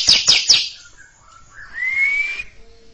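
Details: Greater green leafbird (cucak ijo) singing before a younger bird: three sharp high chirps in quick succession, then a short pause and a clear whistle rising slowly and held for about a second.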